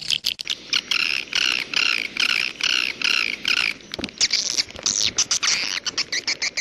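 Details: Edible-nest swiftlet calls in the jaguar style: a series of evenly spaced nasal, ringing squawks at about three a second, followed by a looser run of sharp chirps.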